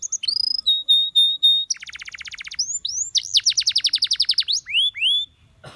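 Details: Canary song meant to encourage other canaries to sing: steady held whistles, then a rapid buzzy rolled trill, then a fast series of bright downward-swooping notes, closing with rising slurs.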